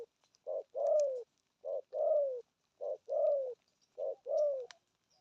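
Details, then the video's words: Spotted dove in the 'thúc' cooing style: evenly spaced pairs of a brief hoot followed by a drawn-out, downward-sliding coo, four pairs in quick succession against a quiet background. "thuc gù thúc kèm bài bản"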